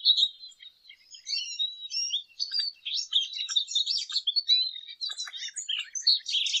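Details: Lesser goldfinch pouring out a steady, high-pitched, varied twitter of chips, trills and short whistles without real breaks.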